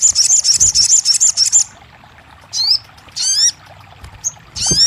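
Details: Crested jay song for coaxing a silent bird to sing: a quick high rattle of evenly spaced notes, then pauses broken by grouped, stacked, down-slurring whistled chirps.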